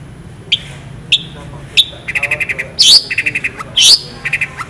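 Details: Long-tailed shrike (Lanius schach) singing: sharp high chips about every half second, then quick rattling note runs broken by two loud, harsh squawks.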